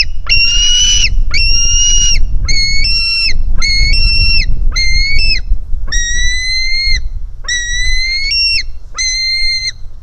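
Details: A hungry white-tailed eagle chick at its nest, 4 July 2018, begging toward its mother; eight insistent whistled squeals, each level then dropping off, roughly one per second, over low wind rumble.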